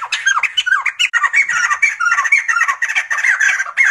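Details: Sumatran laughingthrush calling in a noisy, laughing stream of squawks and slurred whistles, rapid and unbroken for nearly four seconds.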